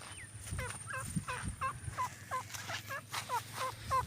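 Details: Purebred partridge giving a rhythmic run of short, ringing, hooked notes, about three per second, each with a bright overtone, over a faint low hum and a thin high whine.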